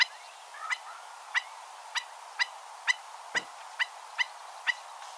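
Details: A stilt gives about ten sharp, high woodpecker-like 'tip' notes, repeated steadily about twice a second over a faint hiss, with a crow and a red-winged blackbird said to be audible in the background.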